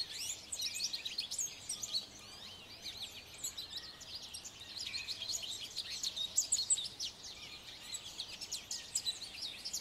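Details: A male American goldfinch singing from atop a branch gives a long, rambling run of high, rapid twitters and sweet warbled notes, almost without pause, over a faint background hiss.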